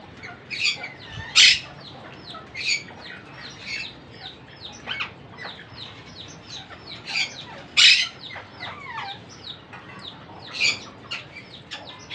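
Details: Monk parakeet parent feeding its young while the chicks beg with rapid, rasping, high-pitched chatter. Several loud screeches occur about every three seconds, and there are brief downward-sliding squeaks.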